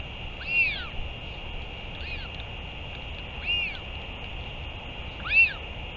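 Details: Northern royal albatross giving brief, whiny, arching cries, four in six seconds, over a steady high-pitched hiss; recorded 31 May 2023 during a return and feeding.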